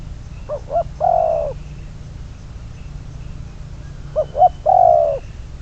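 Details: Spotted dove, a decoy bird for trapping numbered 22, delivering two cooing phrases about three and a half seconds apart. Each phrase has two quick soft notes followed by a long, slightly falling coo. Quiet background between them.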